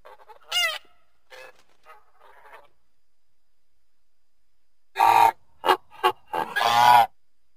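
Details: Goose with one ringing honk and some soft muttering, then after a silence a burst of loud, raucous honks, short ones first and a long harsh one at the end.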